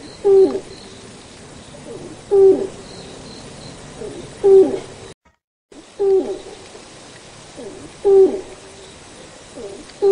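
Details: Malayan night heron (Gorsachius melanolophus), call.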